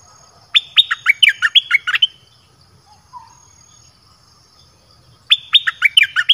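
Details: Song of a red-whiskered bulbul, used to attract wild birds: a lively phrase of about ten clear whistled notes dropping in pitch, then a long silence before the next phrase begins.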